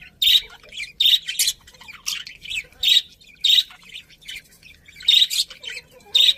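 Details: Pet budgerigars chirping: short bright chirps and squawky notes in bursts roughly every second, with softer twittering between them.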